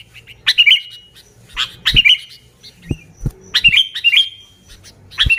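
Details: Sooty-headed bulbul song used to lure other bulbuls: short bursts of bright, bubbly whistled notes with quick downward inflections, repeated in clusters of two to three phrases, with soft low thumps between them.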